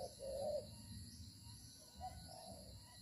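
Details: Spotted dove cooing during a dove-trapping session on 25 September 2023, in the rainy season as night falls. The wild bird moves and fights while it coos. Two soft low coos, the first clearer, sound over a steady hiss.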